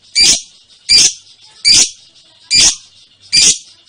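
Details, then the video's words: Lovebird producing ngekek, five harsh buzzy chattering notes evenly spaced, a little over one per second. "Burung love bird ngekek panjang banget 3 menit"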